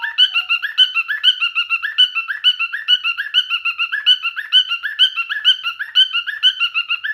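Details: Male cockatiel courting with a sustained run of rhythmic, squeaky whistled notes, about two per second over seven seconds, after a brief lower tone at the start.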